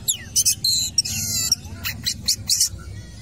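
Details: Cendet, the long-tailed shrike, singing energetically at a football pitch. Short scratchy squawks and grating buzzes alternate with brief whistled slides, uneven in rhythm, over faint low background hum.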